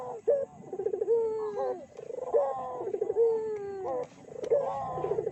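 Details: Lure of Barbary doves meant to provoke rival doves: rolling, throaty coos with a short bright accent, each phrase sliding downward, repeated about every two seconds.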